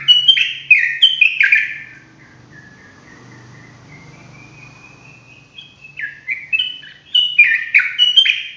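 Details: Sooty-headed bulbul ropel song: loud bursts of quick falling whistles, a long thin steady whistled note in the middle, then another rapid run of bright notes.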